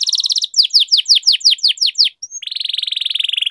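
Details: Canary in long rolling song, used as a tutor for young canaries and a lure for silent ones: a fast buzzy trill, then a slower series of clear downslurred notes, ending in a long rapid even roll.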